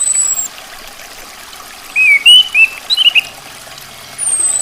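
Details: Female orange-headed thrush (anis kembang betina): a short run of clear whistled, slurred notes in the middle of the clip, with a high thin whistle at the start and end over a faint trickling background.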